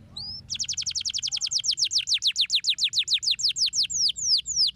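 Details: Canary singing to stimulate lazy canaries: after one short whistle, a long rapid trill of repeated downward-slurred notes begins, slowing gradually into slower, separate descending whistles.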